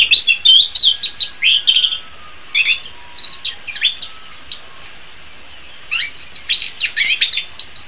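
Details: Orange-headed thrush singing, a recording meant for training other songbirds in the morning or afternoon: a rapid, varied run of high whistled and scratchy notes, many swooping phrases packed closely, with short pauses between bursts.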